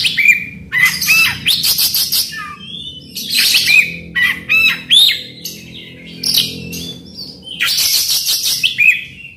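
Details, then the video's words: Oriental magpie-robin in full song, used to provoke a silent bird into singing: varied bursts of rapid chirps, trills and clear whistled notes, phrases separated by short pauses, rich and loud throughout. "PANCINGAN KACER AGAR NGEPLONG"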